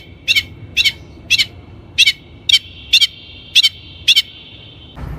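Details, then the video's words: Long-tailed shrike in a lure recording for training birds: paired sharp high notes repeated about every half second, each with a buzzy band of tone between them, ending in a brief low thump. "THE LONG - TAILED SHRIKE SOUND"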